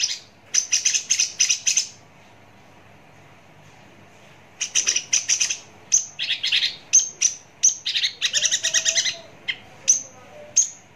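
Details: ['Javan bush lark singing at close range: dense clusters of rapid, harsh trilled notes broken by a long silent gap, then resuming with mixed high whistles and scratchy chatter.']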